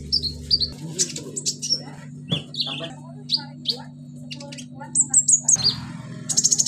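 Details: Sunbird kept in a cage, its song packed with imitated cililin, cricket, golden grasshopper and chick sounds: quick high chirps, downslurred whistles and buzzy notes, ending in a rapid pulsed trill, with a constant low hum behind.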